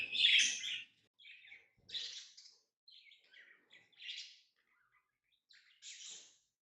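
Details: Single lovebird chirps come in short, separate bursts. A loud, harsh first burst is followed by about six quieter, clipped chirps spaced roughly a second apart, with silence between.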